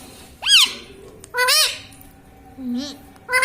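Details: Pet parrot indoors repeatedly saying "mummy" as "mami": three separate arched, harmonic utterances, each rising then falling, spaced about a second apart, with quiet room background between them.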